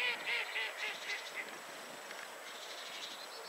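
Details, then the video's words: A Goosander at 51.754079, 20.222983 gives a quick run of harsh, nasal croaking notes, several per second, loudest at the start and trailing off into softer calls. "Goosander / Nurogęś"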